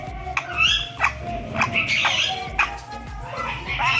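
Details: A pet ringneck parrot talking in Urdu/Hindi, saying people's names, in a high, squeaky, word-like voice: short raspy phrases with sharp clicks, over a steady low household hum.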